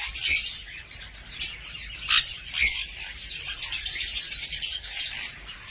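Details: Cockatiel, the Sultan Papağanı, uttering scattered sharp chirps that give way to a rapid, high twittering warble toward the end. A soft background hum is present throughout.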